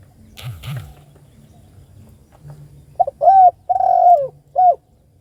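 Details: Spotted dove calls its companion after a few faint rustles and clicks: a soft short note, a fuller coo, a drawn-out rolling coo that drops in pitch, then one short coo to finish, all over a low hum.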